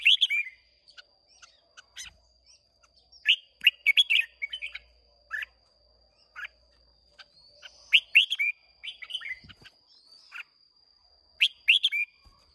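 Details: Red-whiskered bulbul from Hoà Bình, Vietnam, in a singing duel on 30 May 2023, giving loud clipped whistled phrases of three to five notes every few seconds, separated by silences and soft single chips.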